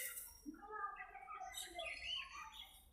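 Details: Aviary budgerigars talking to each other: soft, tonal, speech-like warbling in wavering strands with a few higher squeaks, one bird chattering continuously while others murmur.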